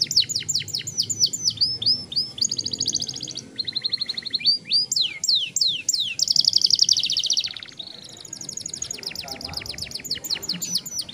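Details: Caged young canary delivering a long rolling song meant to get other young canaries singing, fast repeated trills alternating with downward-sweeping whistled notes, phrases changing every second or two, faint low background hum.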